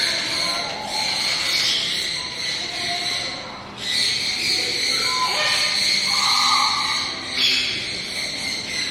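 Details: A captive Striped Owl born in 2016, kept at Kakegawa Kachoen bird park in Japan, calls continuously. It gives long, high, wheezy whistled notes broken by two brief gaps, in an echoing room with faint voices.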